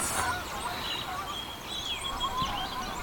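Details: Flocks of Canada geese pass overhead on a brisk early-fall morning at Sax-Zim Bog during migration, 13 September 2022: a loose chorus of nasal, overlapping honks from several birds over a steady outdoor hiss.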